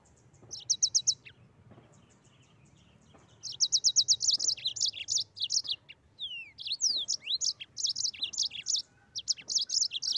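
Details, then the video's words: Mozambique canary singing in the energetic, rolling 'gacor ngeroll' style: short bursts of rapid high buzzy notes, then from midway a near-continuous run of chirps mixed with sharp falling slurred whistles, over a faint low hum. "Burung Mozambik Gacor Ngeroll"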